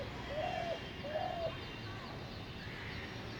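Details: Two soft, low coo notes from a spotted dove in North Kolkata, 10 February 2021, about three quarters of a second apart, followed by quiet background hiss.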